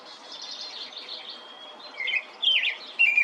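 A European robin sings thin, high phrases: a soft, wavering run of notes, then three brighter, sharper trills in quick succession toward the end.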